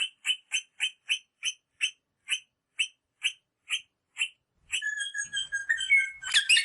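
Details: Rosella calls used to stimulate mating: a steady series of about a dozen short, sharp notes at regular intervals, followed by a burst of mixed whistles and chatter.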